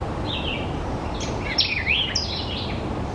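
A White-eyed Vireo gives quick, squeaky, warbling chirps that rise and fall like electronic bleeps, over steady low background rumble.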